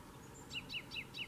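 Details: A Gran Canaria chaffinch (Fringilla coelebs canariensis) at Fontanales, Gran Canaria, June 2017, sings a song fragment of four bright, slightly down-slurred notes repeated about five times a second over a low steady hum.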